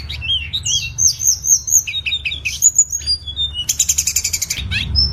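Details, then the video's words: Tledekan singing, used to train cage birds: jumbled high whistles and slurred chirps, then a fast buzzy rattle of repeated notes, with a low steady hum behind. "MASTERAN SUARA BURUNG TLEDEKAN"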